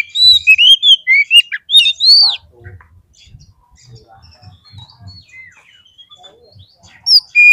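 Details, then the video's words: Kacer (Oriental magpie-robin) singing an aggressive, fighter-style song used as bait to provoke rival birds. Bright slurred whistles and squeaky notes run for two seconds, then fade to faint low thumps. A short burst of whistles returns at the end. "SEKALI PLAY KACER KALIAN PASTI LANGSUNG NGOBRA !!! KEPANCING EMOSINYA FULL FIGHTER"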